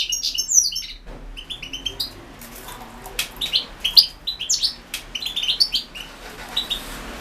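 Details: Entry in the 2016 internet World Championship in Goldfinch Song: a European goldfinch gives scattered high twitters and slurred, tinkling notes in loose bursts, over a soft background hiss.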